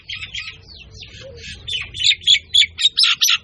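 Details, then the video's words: Myna calling with mixed squeaky and chattering notes, starting softly and turning into a regular run of loud scratchy notes, several per second. "শালিকা চৰাই। #myna birds"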